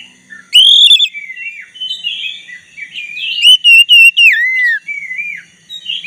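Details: Black-breasted white-rumped shama singing to stir a rival shama into answering, with rich whistled notes rising and falling, a loud upslurred phrase, fast repeated trills and melodious warbles, plus a faint low hum.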